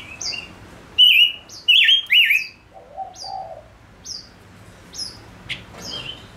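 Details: Male decoy bird delivers loud wavering whistled phrases, then spaced thin downslurred whistles, with a soft low cooing dove in the background.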